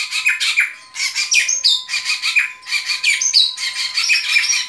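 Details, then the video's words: White-rumped shama delivering harsh, rapid, high-pitched chattering phrases in bursts about once a second, with a few sharp whistled notes mixed in and a faint steady hum behind. "Relaksasi suara Burung Murai Batu"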